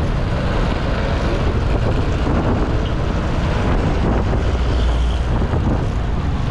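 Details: Loud wind buffeting the microphone drowns out everything else, with no birdsong.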